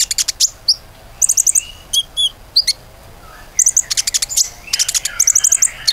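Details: Common iora singing, played as a lure to set other birds singing: busy bursts of very high, sharp chirps and rapid trills, broken by a few thinner whistled notes, over a faint background hiss.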